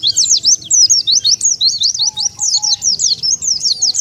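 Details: Dense, high-pitched twittering of the Oriental white-eye used to lure wild birds, sharp rising-and-falling chirps repeated rapidly throughout, bright and thin, over a faint low hum and a soft sustained tone.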